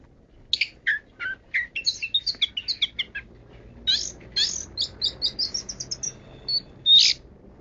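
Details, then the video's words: Long-tailed shrike in 'kaya rasa' varied song: rapid high chattering notes in two bursts, each running into quick twittering series, ending with a loud harsh rasp. "BURUNG PENTET 'KAYA RASA'"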